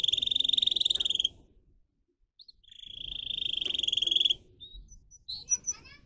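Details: Canary kept as a pet, singing two long rapid buzzy trills separated by a pause, followed by a few scattered chirps, with faint low background rumble.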